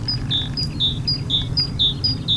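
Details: Adult great tit singing while perched on a power line: a clear two-note phrase, a short high note followed by a longer, lower whistle, repeated steadily about twice a second over a loud low background rumble.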